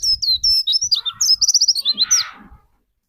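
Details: White-eye lure song for spurring another white-eye to sing: a quick run of high, piping whistled notes strung together into a rapid trill, ending in a short harsher burst, with soft low thumps beneath.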